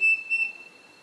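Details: Pavonine cuckoo (Dromococcyx pavoninus) at Floresta Estadual Edmundo Navarro de Andrade, Rio Claro, São Paulo, Brazil, 23 August 2018: pure, high whistled notes, two short, level tones close together, then fading into a quiet background.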